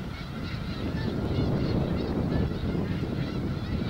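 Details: Several thousand Snow Geese feeding on sprouting wheat on the Skagit Delta, Washington State, form a dense chorus of overlapping nasal honks, with heavy low wind rumble beneath.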